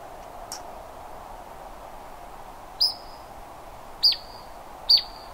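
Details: Canyon wren giving three sharp, high, clipped notes spaced about a second apart, each a quick downward snap that trails into a thin steady tone, over a soft low background hiss.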